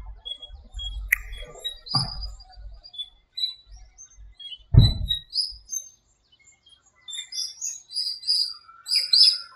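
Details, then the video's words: Birdsong at dawn in a small park during breeding season and the rainy season: scattered high chirps and short whistles, with low thumps and knocks early on and a lively chorus of twitters at the close. "공원의 새소리 - 새벽에 잠이 깨서 듣게 되었네요."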